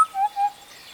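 Western Black-headed Oriole giving two short, clear whistled notes at a low, mellow pitch, the second slightly flatter than the first, in a quiet background.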